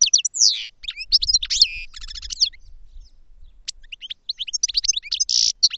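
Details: Lively goldfinch song of tumbling high twitters, quick downslurred whistles and a short rattling trill, briefly pausing before resuming with more chirps and a buzzy note. Faint low rumbling lies underneath.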